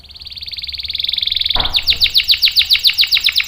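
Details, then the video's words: Canary singing for training and provoking young and silent males: a swelling fast trill, a brief click, then crisp descending notes repeated about four times per second. "SUARA KENARI GACOR ampuh buat pancingan dan masteran kenari paud dan macet | CANARY SINGING"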